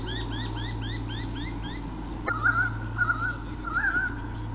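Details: White-bellied sea eagle pair, Sydney Olympic Park, Australia, 2013, defending territory from swooping currawongs, nest camera. Rapid rising chirps from another bird, then a run of wavering, honking mid-pitched calls, over steady electrical hum.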